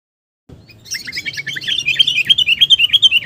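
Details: Sooty-headed bulbul, a recording used to lure birds: after a short silence, a fast run of bright, chirping high notes builds into an evenly repeated, slightly wavering phrase about three times a second, with faint low background noise.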